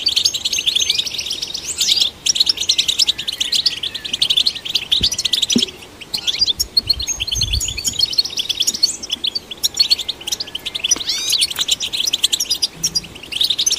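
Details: European goldfinch song played to stimulate caged goldfinches: fast, continuous twittering and tinkling notes with buzzy trills and rising whistled slurs, high-pitched and unbroken for most of the stretch, with brief pauses near two and six seconds.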